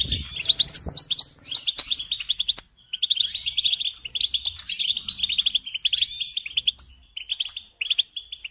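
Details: Goldfinch from a care and singing guide, giving quick liquid twittering phrases with jingling notes and nasal buzzes, separated by brief silences around three and seven seconds.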